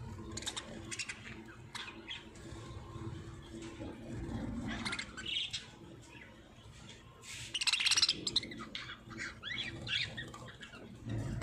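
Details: Parrots in Pakistan, described as lovebirds singing: bursts of shrill, harsh chirps and screechy notes come in irregular clusters, loudest near the middle and end, over a low rumbling background.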